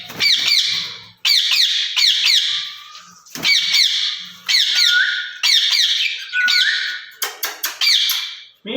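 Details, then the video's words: Two caged rose-ringed parakeets talking to each other, said to speak Urdu or Hindi. Loud, grating squawks come in long rolling bursts, several with a short clear whistled note, then rapid clipped calls near the end. "Speaking Parrots in Cage"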